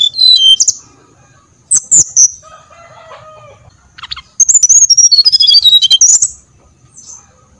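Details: Brown-chested jungle flycatcher song used as a lure to make other birds sing: short bursts of high, clear whistled notes stepping downward, a pause with faint lower tones, then a longer run of rapid descending whistles.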